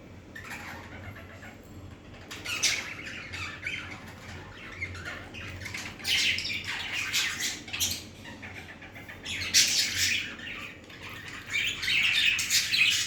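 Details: Budgerigars flying, giving bursts of harsh, scratchy chatter and squawks, with soft wingbeats between.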